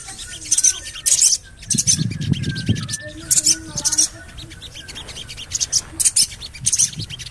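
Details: Javan cochoa call meant to lure birds into singing. Bright, harsh high chirps come in paired bursts, with a brief low rumble early on and soft whistles behind.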